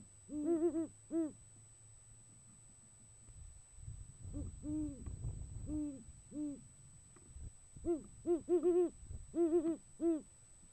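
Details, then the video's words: Great horned owl pair in January, a male courting the female, trading deep hoots: an opening burst, a stretch of low rumble with softer spaced hoots, then a fast overlapping flurry of calls at the end. "A how to guide for "date night" for a male Great Horned Owl"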